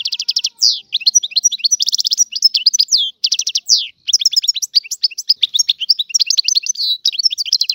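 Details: Algerian European goldfinch, a free bird, in full song: fast tinkling twitters mixed with buzzy trills and downward-slurred notes, delivered almost without break, no other sounds.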